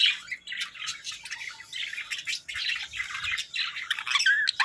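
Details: A pair of pet Budgerigars chatters in a continuous stream of scratchy, buzzy warbles and squawks with bright chirps mixed in.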